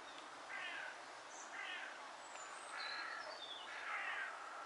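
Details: Courtship display of mallards, heard as four coarse, nasal quacks at roughly one-second intervals over a steady hiss of background noise and thin high bird notes.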